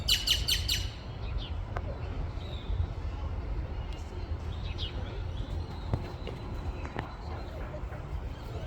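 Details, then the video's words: Female and male great-tailed grackles: a quick burst of harsh, clacking chips, then scattered sharp single notes over steady low rumbling background noise. "Female and male Great Tailed Grackles"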